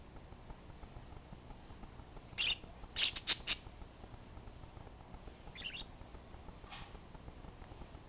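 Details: Several harsh, high squawks from parakeets, one single note then a tight cluster of three, and two fainter scratchy calls later, over a soft steady background hiss.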